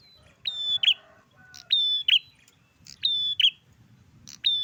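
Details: Garden recording of an energetic bar-winged prinia (prenjak klawu): four ringing, high-pitched phrases, each a sliding whistle ending in an emphatic chip, delivered about once a second over steady low rumbling background noise.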